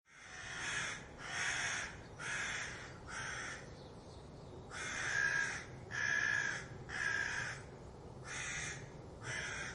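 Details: Crows raising the alarm because of a fox: harsh, broadband caws repeated roughly once a second in uneven bursts, some grouped in quick pairs, over a low steady background rumble.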